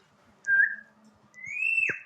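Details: Tame ring-necked parakeet kept at home with children, whistling two clear notes: a short level whistle, then a longer one that rises and then drops sharply at the end. A faint low hum sits underneath.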